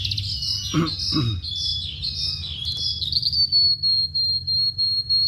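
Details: Oriental skylark in full song, rapid warbling chatter and trills giving way to a long sustained thin whistle, with two short harsh lower notes early on and a constant low background hum.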